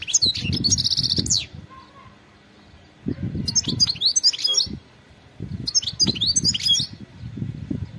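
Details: Wild European goldfinch calling in three bursts of quick, high twittering with a buzzy trill in the first, separated by short pauses, over low rumbling noise.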